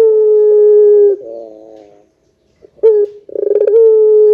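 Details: Barbary dove giving a loud long-drawn pelung coo, used to lure other doves into calling: a steady hollow tone over a second long, a wavering tail, silence, then a rapid rolling trill into another held coo.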